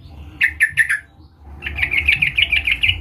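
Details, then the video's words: Sooty-headed bulbul calling to draw in a rival: four quick chips, a brief pause, then a rapid string of chattering, bubbly notes lasting about a second and a half. "Suara Panggilan trucukan gacor Memanggil Lawan"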